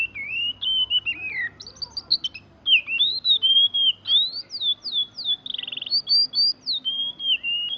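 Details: Oriental magpie-robin song: varied clear whistled phrases, sliding and rising notes with short buzzy and trilled bits, delivered in rapid succession with brief gaps.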